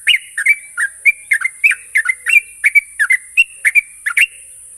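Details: Sooty-headed bulbul lure recording for training a young bird to sing rapidly. Even, rhythmic whistled notes are paired and repeated almost every half second, steady throughout, over a thin high hiss.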